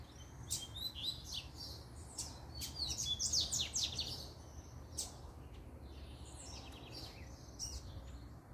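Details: Double-collared seedeater singing in the puxada style: quick bursts of high, sharp chirps and trilled notes, densest around the middle, over a steady low background rumble.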